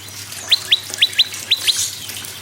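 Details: Prinia song played so that other birds will sing. Six loud, clean upslurred whistled notes, some in close pairs, spaced a fraction of a second apart over soft hiss.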